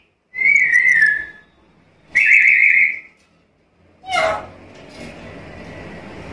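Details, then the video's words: Black-capped lory vocalizing energetically, meant for luring and tutoring birds: two drawn-out wavering whistles about a second long, a pause, then a sharp harsh squawk followed by lingering rough noise. "Suara burung nuri kepala hitam gacor isian komplit"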